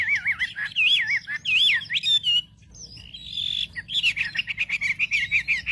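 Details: Wambi bird song as a lure to provoke others: rolling, wavy whistles repeated in quick sequence, a brief pause, then a drawn-out whistle and a fast chattering series of short notes.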